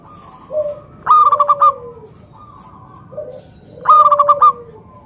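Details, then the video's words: Singing local zebra dove meant to prompt other doves to call: short low coos lead into two quick rippling bursts of bright notes, each ending in a drawn-out, gently falling coo. "PERKUTUT LOKAL GACOR SUARA PALING AMPUH UNTUK PANCINGAN BURUNG PERKUTUT AGAR NYAUT BUNYI GACOR"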